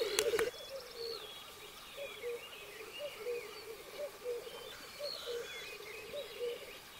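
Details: Black grouse at the singing arena in 2023, the lek where males fight and mate: quiet, steady bubbling cooing, with scattered thin chirps and whistles from other birds above it.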